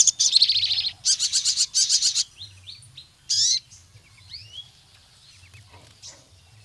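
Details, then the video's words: Sooty-headed bulbul song used to challenge rivals and lure other bulbuls into singing: bursts of rapid buzzy high trills, then scattered short whistled slurred notes and a loud descending sweep, with faint low hum beneath. "Sogon Gacor MEMANGGIL LAWAN, suara burung sogon untuk pancingan masteran sogon manapun jadi gacor"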